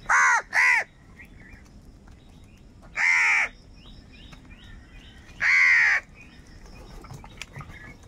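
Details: Angry crows calling and fighting for food: loud harsh caws, a quick double caw followed by two longer single caws spaced about two and a half seconds apart, with faint chirping from smaller birds between them.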